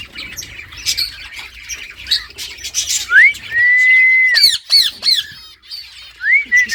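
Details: Talkative green ringneck parrot giving a long level whistle, then sharp harsh clicks and squawks in quick succession, ending with a short rising whistle over soft chirping in the background.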